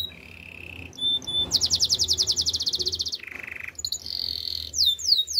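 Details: Spanish Timbrado canary in training song, alternating flat whistled notes with a loud rapid pulsing roll, a lower buzzy trill and a high steady roll, ending in downward swoops.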